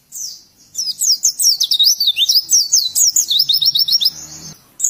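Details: Oriental white-eye singing a training song for novice birds: a dense, fast run of thin, high chirps and quick up-and-down slurs that keeps going without a break for about four seconds.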